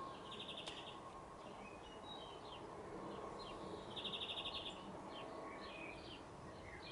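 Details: Singing male European greenfinch at the crown of a spruce, with two faint rattling trills and scattered soft twittering notes against steady low background noise.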